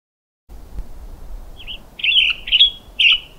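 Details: Western Tanager (Piranga ludoviciana) sings three or four short, hoarse, burry phrases in quick succession, robin-like but rougher, over a low, steady background hiss.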